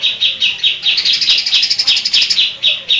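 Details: Greater green leafbird in full song, copying birds like Kapas Tembak, Cililin and Tengkek; dense, rapid chattering of bright high notes at about four per second, hardly pausing.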